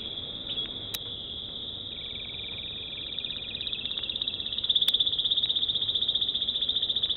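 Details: Steady high rolled trill from an American Singer canary, holding one pitch and growing louder into a fast, evenly pulsed rattle toward the end.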